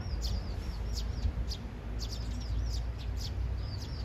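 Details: Three Eurasian tree sparrows in a courtship squabble, two vying noisily for a third; loud, sharp chirps and swooping twitter notes in quick succession, several per second, against deep background rumble.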